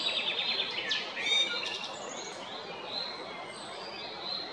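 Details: Male Eurasian blackbird at Jarun, Zagreb, Croatia, 22 April 2021. A brief burst of scratchy high strokes and a whistled note opens the clip, then faint, thin high whistles from other birds continue in the background.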